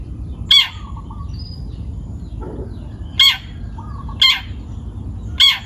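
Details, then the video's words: Young long-tailed shrike taken from the forest gives loud harsh rasping notes at irregular gaps of one to three seconds, with a faint whistle between them over low background noise. "CENDET PASTOL MUDA HUTAN (MH) GACOR BUNYI"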